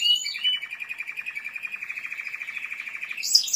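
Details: Timbrado canary song: a long, even rolling trill of rapid metallic pulses held at steady pitch for nearly three seconds, opening with a few brighter notes and ending in a high sharp flourish.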